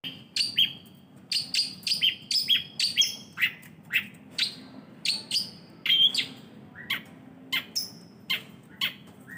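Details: Long-tailed shrike in full, lively song: short bright whistled notes near the top of the range, often paired and sliding, delivered in quick uneven bursts about once a second, over a faint steady low hum.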